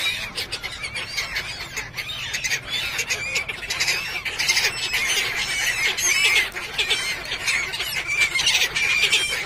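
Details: A crowd of gulls on the beach at Somnath, Gujarat, being fed junk food by pilgrims, gives overlapping harsh, squealing, screaming cries at a rapid, irregular pace over steady background hiss like wind or surf.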